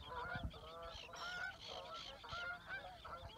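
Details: Canada geese flying over water at Reveln, Stornäset, Alnö, on 7 August 2022, leaving to head south; overlapping nasal honks and cackles from several birds, repeated irregularly throughout, with low wind or water rumble beneath.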